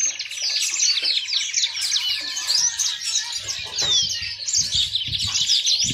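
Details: Yellow-fronted canary song: a steady stream of sweet twitters, buzzy trills and sliding whistles, with low rumbling thumps and a faint hum in the background.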